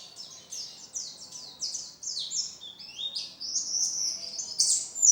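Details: Oriental white-eye in energetic song, a continuous rapid stream of thin high sweeping whistles and twittering slurs, tumbling notes run together without pause.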